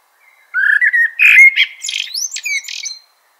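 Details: A single continuous Eurasian blackbird phrase: a low, smooth fluted warble rising into a jumble of thin, squeaky, rising high notes, lasting about two and a half seconds.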